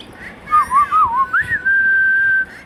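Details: Pet Indian ringneck parakeet voicing "Hello" and "Mithu": a quick wavy series of tonal wobbles, then a rising note that levels into a long, even, sustained tone, in a quiet room.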